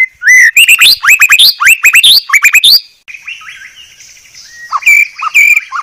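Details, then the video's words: Murai batu, the white-rumped shama, in clear training song: a quick string of loud upswept whistles and chirps, followed by soft warbling and two final sharp notes. "Masteran Murai Batu Paling Jernih"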